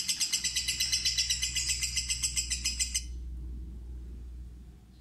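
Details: Young, inexperienced fighter lovebird in a trial of a ngekek lure: a three-second burst of loud, quick, evenly spaced high pulses forming a rattling trill, then it stops abruptly, leaving only faint low hum.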